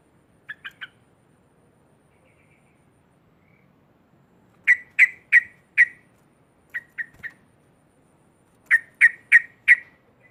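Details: Sooty-headed bulbul calling loudly to provoke rivals: bursts of short, sharp, bright notes in groups of three to four, separated by pauses, over a quiet background.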